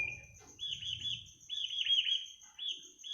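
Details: Bird singing in the middle of the night: bright, high twittering phrases with warbled notes, over a steady high insect-like hiss and faint low rumble.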